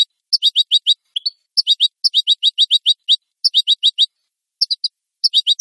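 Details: European goldfinch song from a clean recording made for training captive birds: bright, rapid chirping notes in tight bursts of four to seven, repeated with short pauses between phrases, no other sounds.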